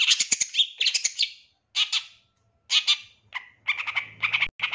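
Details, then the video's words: Long-tailed shrike singing 'isian tembakan' fill, used to train other birds: harsh chattering phrases with pauses of about half a second, closing with short buzzy notes repeated at a steady pace. "Masteran Cendet GACOR Isian Tembakan Mewah Terbaik Terampuh"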